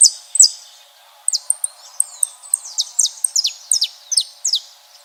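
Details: Saffron finches in nature singing a run of high, sharp, downward-sliding chirps repeated roughly every third of a second after a brief quiet pause, with a faint low murmur of background noise underneath.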